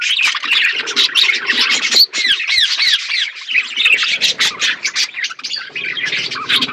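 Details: Budgerigar flock eating food. Harsh squawks and curved, arching chirps crowd together in a loud, continuous babble from many birds.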